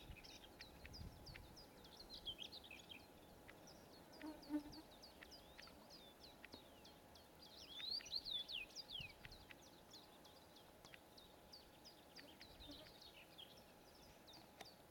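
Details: A Bluethroat on the Kudma River at Zelyony Gorod, Kstovo district, Nizhny Novgorod region, 4 June 2014, sings a fairly quiet, rapid stream of high chirps, ticks and twitters, with a brighter run midway, over a steady low hum.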